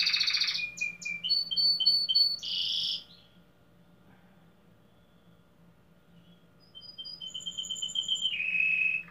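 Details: Singing-competition domestic canary, Pelotas, Brazil: loud buzzy and whistled notes for three seconds, a silent gap, then soft high tones swelling into a steady lower buzz.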